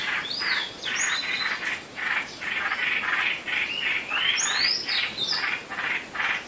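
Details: Pre-dawn birds recorded on 8 April 2016: dense overlapping chirps and whistled upward-sweeping notes, several per second, with a steady rhythm of bright calls.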